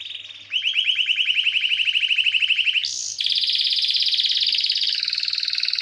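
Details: Canary song meant for tutoring other birds: quiet start, then a loud rolling trill of looped notes, a short high whistle, and a long fast buzzing trill.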